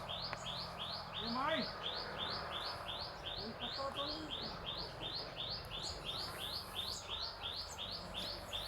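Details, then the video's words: A bird sings on a farm in quick, high, slurred chirps repeated steadily, with a few faint low voices and a soft background hum. "Birds singing in my farm"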